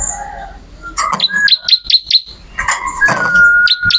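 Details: Bar-winged prinia in an energetic song: a quick run of sharp, high chirps, then a rough burst and a long, smooth whistled note. Recorded for training songbirds.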